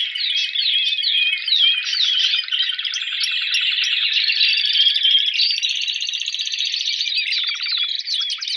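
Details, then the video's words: A competition Timbrado canary rated 83 points sings without pause: bright, metallic trills and rolling, water-like notes, high and rapid, flowing one into the next, no other sounds. Belgian canary. "CANARY CONTEST SIMULATION"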